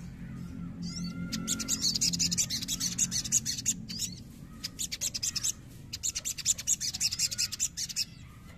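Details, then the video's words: Crimson sunbird, an untrained young bird, provoked to sing: dense, high, rapid buzzy trills in long bursts, broken by short pauses, with a few thin chirps and a low background hum. "CEPAT PANCING EMOSI SOGON BAHAN"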